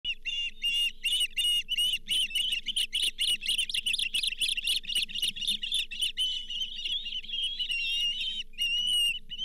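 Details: Osprey at the Charlo nest cam, 31 July 2023, as the fifth fish of the day, a lake whitefish, is delivered to the nest: rapid, high, whistled chirps in dense repeated bursts, with a steady low electrical hum beneath.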